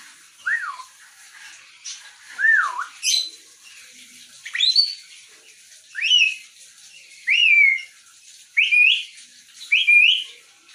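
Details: Grey parrot giving clear whistled notes: two falling-rising swoops, then a series of rising slurred whistles repeated about every one and a half seconds, loud and close.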